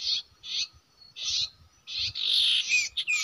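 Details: Common iora at a usual nesting site used for trapping: several short buzzy chirps at half-second intervals, then a longer drawn-out buzzy note and a quick whistled ending, with faint low background rumble.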